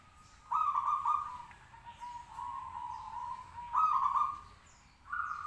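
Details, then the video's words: Local zebra dove of a local breed, caged and hung up high, singing hard to prompt other doves to answer. Its low, fluttering coos come in short phrases of under a second, then a longer, steadier low note, over quiet background hiss. "perkutut lokal gacor manggung 10 menit bikin nyaut lainya"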